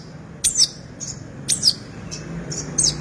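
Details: Long-tailed shrike giving 'isian' song phrases: three brief, sharp, high squeaky notes spaced about a second apart, each followed by a short whistle, over a low steady hum.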